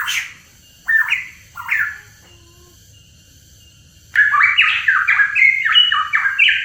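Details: Hooded pitohui with three separate short squawky slurs, a long pause, then a rapid unbroken string of stepped, rising and falling harsh notes.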